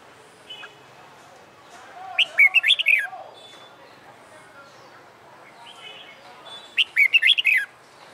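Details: Fighting song practice of a caged red-whiskered bulbul, caught wild and finding its voice after a month caged: two bright warbling phrases of rapid whistled notes about five seconds apart, faint chirps between.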